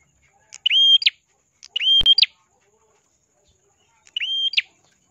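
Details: Ashy prinia singing steadily with a clear, crystal-like voice, used for training other songbirds: three separate phrases, each a long level whistle that hooks sharply upward at the end, spaced about one to two seconds apart, with a single click.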